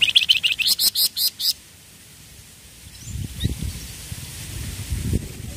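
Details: Flamboyan songbird giving an ombyokan burst: about eight rapid, high, piercing chirps in a tight even series over one and a half seconds, then faint low rumbling noise.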